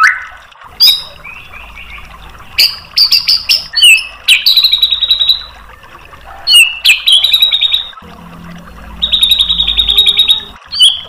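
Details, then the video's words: White-rumped shama song used as a tutor to goad a bird into responding: sharp chips, quick rattling bursts and buzzy trills that start and stop, with quiet gaps between phrases and a faint low hum. "MASTERAN MURAI BATU memancing EMOSI jadi NYAUT GACOR"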